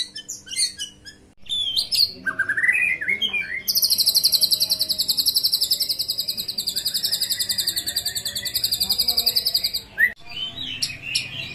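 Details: White-rumped shama song used as a lure to provoke other shamas into answering. Bright, varied phrases lead into a long, fast, high buzzing trill lasting about six seconds, followed by rising whistled notes, with faint low background hum.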